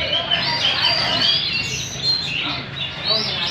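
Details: Competition singing from caged hwameis, mature birds taken from the wild, dancing as they sing: rapid clear whistles and rolling trills, several voices overlapping, with faint murmur behind.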